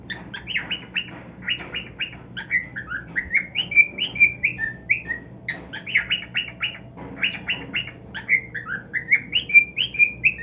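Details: Male pet cockatiel singing on his new nest, mixing harsh rapid squawky bursts with clear drawn-out whistles, repeated in two bouts, loud and close.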